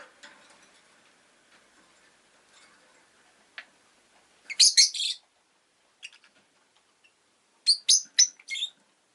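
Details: Rosy-faced lovebird chirping: a burst of three or four harsh, scratchy chirps, a pause with a few faint ticks, then a quick run of four sharp chirps, against a quiet background.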